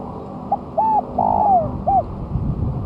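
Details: Recently moulted spotted dove on the ground, singing strongly, recorded as a lure: a single phrase of a short coo, a double hollow note, a long purring note falling in pitch, and a final coo, over low rumbling background.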